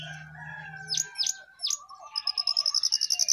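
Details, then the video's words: Jongkangan, a caged bird in full song perched on top of its cage: a few sharp downward-sweeping whistles, then a fast, even series of bright pulsed notes, over a low steady hum. "Jongkangan Gacor Di atas Sangkar"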